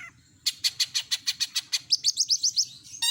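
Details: Long-tailed shrike (cendet) chattering in full mimicry song: a steady series of about ten raspy notes, then quicker rising chirped notes, closing with a burst of harsh sound.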